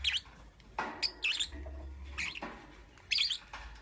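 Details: Morning lovebird calls: harsh, buzzy high chirps in short bursts roughly every second, set against noticeable low rumbling background noise.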